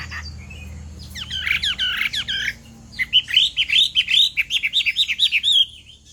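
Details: Female Chinese hwamei calling to stimulate a male to sing: a buzzy jumbled burst, then a quick rhythmic series of repeated whistled notes, nearly three per second.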